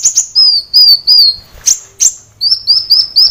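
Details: Persistent song of a kolibri wulung sunbird for caged-bird training: a few piercing upward chirps, drawn-out high falling whistles, then a quick series of short downslurred notes.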